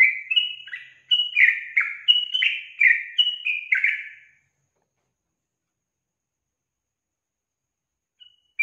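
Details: Female yellow-vented bulbul in energetic calling to prompt males to answer: about four seconds of quick, rolling chirps falling in pitch, then silence, with one brief note at the end.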